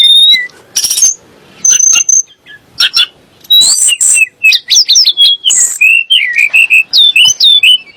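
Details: Sunda blue robin (tledek gunung) song meant to make shamas and other birds sing: scattered sharp high notes, then a brisk, varied sequence of whistled slurs and chirps.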